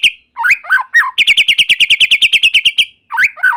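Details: White-rumped shama singing energetically, meant to prompt other shamas to sing. Slurred whistled notes open and close the phrase, around a rapid high trill of about twenty sharp repeated notes lasting nearly two seconds.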